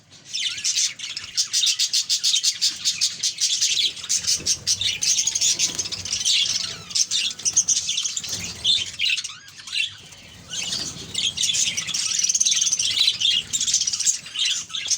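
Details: Budgerigar colony kept by a breeder, many birds chattering at once: a dense, continuous wash of high twittering warbles and chirps, with rapid clicking bursts between the second and eighth seconds and brief quieter gaps.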